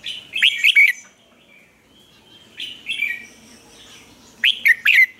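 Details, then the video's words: Lure red-whiskered bulbul, caged in Vietnam to stimulate freshly trapped birds to sing, repeats a lively three-note warbled phrase, with a softer intermediate phrase in the middle, against low background hiss. "chào mào mồi luyện giọng hót hay,giúp chào mào hót căng lửa"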